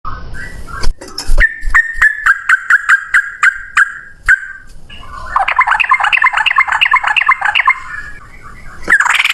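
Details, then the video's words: Yellow-vented bulbul in vigorous fighting song, a long rapid 'ropel panjang' style: a fast run of short repeated notes, then a dense chattering burst, broken by loud sharp clicks and knocks. "trucukan gacor TARUNG ROPEL PANJANG"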